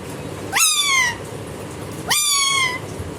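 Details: A pet Indian ringneck parakeet, while playing, imitates a cat with two convincing meows, each rising sharply then sliding down, about a second and a half apart, over a quiet room hum.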